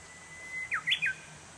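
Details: Japanese bush warbler in a bamboo grove: a long, even, level whistle swells, then breaks into three sharp, emphatic notes, a downward slur followed by two higher falling phrases, with soft background hiss.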